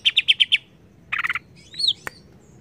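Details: Greater green leafbird, agitated by a lure, with five quick ringing notes, a short rattling burst, then a thin arching whistle and a click.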